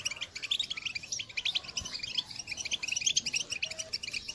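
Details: Short passage of European goldfinch call song, 2022, intended to motivate other birds; busy, quick chirping and bright tinkling notes in a continuous chatter, somewhat muffled by background hiss.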